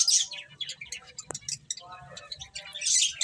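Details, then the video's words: Finches chirping while eating: high, thin chirps in quick bursts, loudest at the start and the end, with softer twittering and a brief click in between. "Cute Finches Chirping Sounds | Beautiful Birds Eating"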